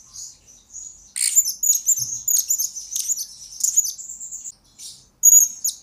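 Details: Blue-crowned hanging parrot, a lure and master bird for training others: soft high notes, then a long run of sharp, very high chirps and trills, ending with a brief loud burst.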